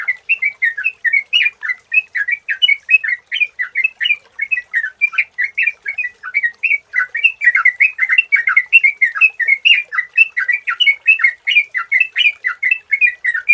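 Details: Long, steady outpouring of bubbly whistled notes from a sooty-headed bulbul (trucukan) used as a lure sound. Notes bounce up and down in a rapid chattering rhythm, with faint high ticking above.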